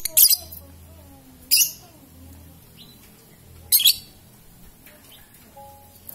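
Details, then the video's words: Young lovebird being trained for courage and to bring out its long trill, uttering three harsh, buzzy bursts about two seconds apart, with faint soft whistled notes and low background hum. "Melatih mental burung lovebird paud dan akhirnya muncul ngekek nya"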